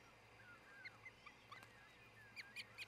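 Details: Osprey at the nest in Charlo, Montana, at dawn on 26 June 2018: scattered soft high chirps, then three louder, sharper whistled notes in quick succession near the end, with a faint background hum.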